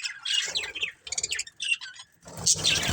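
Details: Colourful pet budgerigars in a family group give rapid, overlapping chirps and scratchy warbles, a near-continuous chatter with a brief lull before a louder squeaky burst and faint low rumbling beneath.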